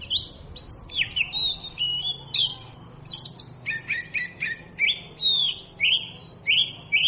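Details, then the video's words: Oriental magpie-robin in full song: bright whistled slurs and high chirps, a pause, then a fast stuttering series of short notes leading into melodic falling and rising whistles. "เสียงนกกางเขนบ้าน Oriental magpie robin sounds"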